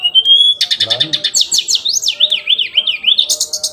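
Hill blue flycatcher singing a quick, varied run of high whistled notes, buzzy trills and swooping up-and-down phrases, delivered without pause.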